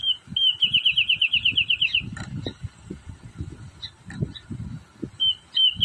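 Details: Wrentit playing on a branch, giving a fast even series of about fourteen high, sharp notes lasting under two seconds, with a shorter burst near the end; low thumping noise runs underneath throughout.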